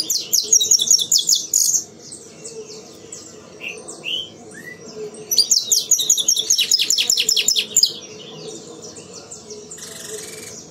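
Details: Saffron finch from a breeder, singing in the 'sistemático' style: two bursts of rapid, high, buzzy repeated notes, the first about two seconds long, the second after a pause. A low steady hum sits in the background.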